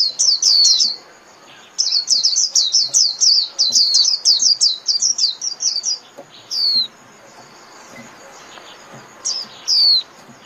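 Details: High-pitched white-eye song used to call the flock: a long, fast chain of twittering downslurred notes for about four seconds, then single sliding whistles scattered through a quieter end.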